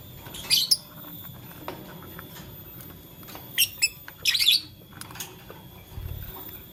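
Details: Blue, lutino and green lovebirds toying with a flower: a pair of piercing chirps, a pause, then a quick double chirp and a scratchy rattling burst, with soft hum behind.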